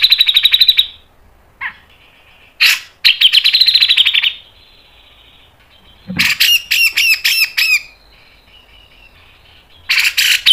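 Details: Grey-cheeked bulbul (cucak jenggot) tutor song used as a lure, in the mbeset ngepik nembak panjang style: a high steady whistle, then a lone rising note, then dense buzzy trilled bursts and fast rattling chatter in quick runs with short pauses.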